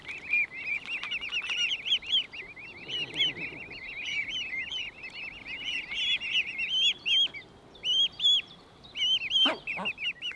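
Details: Cygnets of a mute swan family calling as they feed alongside their parents, filmed 26–28 May 2023; continuous shrill cheeping from several young, notes rising and falling, later spaced into short groups, with occasional water splashes.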